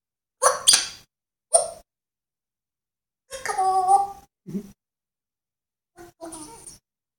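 An African grey parrot imitates other animals: a harsh double bark-like burst, a single yelp, a longer nasal wavering call, a low grunt, then a final squawk.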